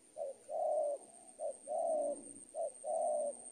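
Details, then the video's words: Spotted dove calling in training audio for teaching birds: three two-part phrases, each a brief note leading into a sustained mellow coo, evenly paced about every second, with a steady high-pitched whine behind. "ajaran tekukur super penguku"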